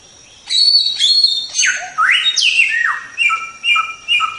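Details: Tutor recording of white-rumped shama song: rich whistled phrases with sweeping rising and falling notes, then a run of short two-part whistles repeated about every half second, with a thin constant high tone behind.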